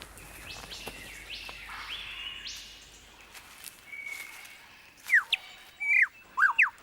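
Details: Australian Superb Lyrebird, a vocal learner with one of the most elaborate songs: a run of upswept whistles and a held note, then loud, sharp whipping sweeps over a faint background hiss.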